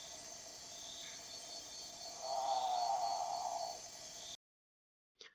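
A great potoo gives one harsh, guttural, drawn-out growl lasting about a second and a half over a steady background hiss and hum.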